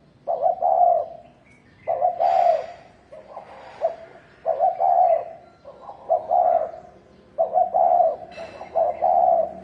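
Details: Fight-provoking thổ đồng cooing from a spotted dove: a steady run of low, throaty coo phrases, roughly one every one and a half seconds, with soft rustling noises between some of the phrases.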